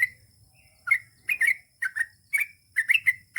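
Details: Sooty-headed bulbul singing short, liquid whistled phrases, clusters of quick chirpy notes spaced about half a second apart, over a faint background hum.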